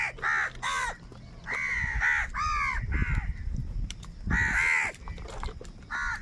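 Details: Crows fighting over food produce many loud, rasping caws in irregular bursts, some in quick pairs, with low rumbling noise underneath.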